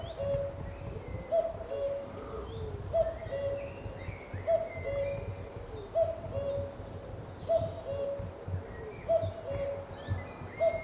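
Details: A common cuckoo on Cannock Chase gives its mellow, falling two-note 'cuck-oo' about every second and a half, with other songbirds twittering faintly in the background.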